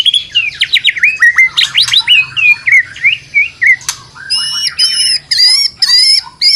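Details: White-rumped shama in fighter style, singing a lure song of full variation: rapid rising and falling whistles and slurred notes, then bright repeated ringing phrases in quick bursts near the end.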